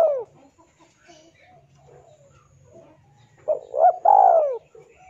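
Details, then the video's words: Spotted dove male calling a rival, as used for luring: the tail of one falling coo opens, then quiet murmur before a full phrase of a short coo, a catch note and a long descending coo. "SUARA TEKUKUR JANTAN MEMANGGIL LAWAN"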